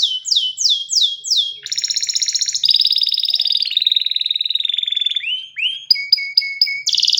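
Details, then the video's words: Canary song in rapid changing sections: repeated falling swoops, buzzy pulsed rolls, a steady high trill, then short repeated chirps and upward slurs. "جميع طيور الكناري سوف تغني بعد الاستماع إليها Canary singing"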